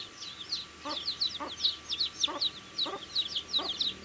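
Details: Little chicks eating and chirping: rapid, piercing high peeps from several birds overlap continuously, with a pecking tap about every half second.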